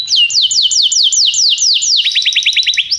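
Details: Tutor canary song for a young canary, a run of evenly spaced falling whistles followed by a quicker series of short clipped high notes.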